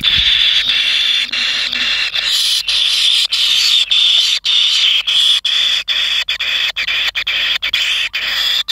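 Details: Hungry kingfisher chicks in their nest, just growing pin feathers, keep up a dense hissing, rasping churr broken by quick irregular gaps, steady and loud throughout.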